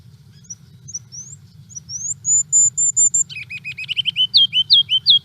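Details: A Ruby-crowned Kinglet sings thin, very high rising notes, then drops into a quick, lower warbled series of bouncy repeated phrases, over a faint low hum.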